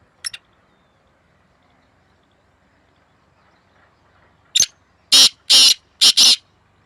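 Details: Black francolin, one of two birds in a calling contest, May 2024: after a brief scratchy note and a long silence, a sharp short note leads into two long rasping notes and a clipped double note.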